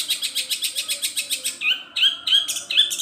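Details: Long-tailed shrike song stuffed with mimicked gereja petir, kunti and tengkek buto calls; a quick, even run of high pulses gives way to louder, slurred whistled notes.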